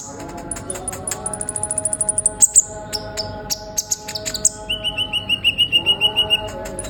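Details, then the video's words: Actively singing sunbird, recorded to stimulate other songbirds: a very high run of rapid ticks, scattered sharp chips, then a fast steady trill of mid-high notes, over low humming tones. "Terapi burung kolibri ninja gacor utk memancing konin bahan cepat bunyi"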